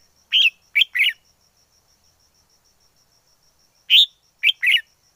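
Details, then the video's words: Singing wild red-whiskered bulbul: a quick three-note whistled phrase, nearly three seconds of silence, then the same brisk three-note pattern repeated in a quiet setting. "Chào mào rừng hót hay nhất"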